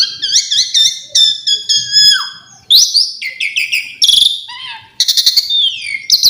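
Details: Asian pied starling singing a varied song full of fill-in phrases: harmonic whistled notes with falling slurs, a low downslurred whistle, and buzzy rasping bursts, with short pauses between phrases.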